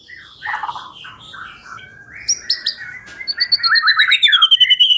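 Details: White-rumped shama song played as a lure: soft varied phrases, a few sharp high notes, then a fast repeated trill with a long descending whistle above it.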